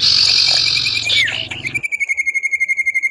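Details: Common iora male answering in song while a female chatters: dense harsh buzzing at first, then a steady high whistle pulsed in rapid even beats, about seven per second.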